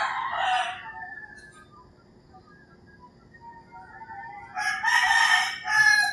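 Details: Rural Philippine morning with roosters: a crow fades out at the start, a quiet thin call follows, then a loud, harsh crow rises near the end of the stretch.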